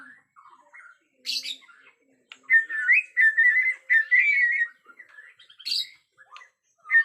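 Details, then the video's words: Bornean white-rumped shama, agitated, in a natural forest setting: varied whistled phrases with rising and falling notes, a burst of rapid high sharp notes, and a run of warbling chatter mid-way. "Murai Batu Borneo Ngamuk suara asli hutan"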